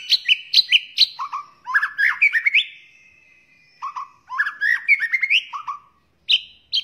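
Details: Rich, varied song of a white-rumped shama intended to teach other birds: sharp high chips, fluty rising whistles and warbled phrases, with a long drawn whistle in the middle.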